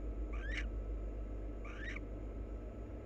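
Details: Two quick rasping chirps that sweep upward, about one and a half seconds apart, from a pair of wild barn owls preening and kissing, with a low droning background.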